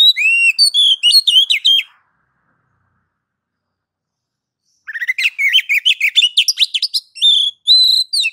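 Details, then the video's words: Oriental magpie-robin, called kacer, singing ngeplong to set other kacer singing: a two-second whistled phrase, a three-second pause, then a longer, rapid, varied sequence of chirps, trills and level whistles. "MASTER DASAR KACER NGEPLONG MEMANCING KACER AGAR CEPAT BUNYI GACOR Birds Song Kacer"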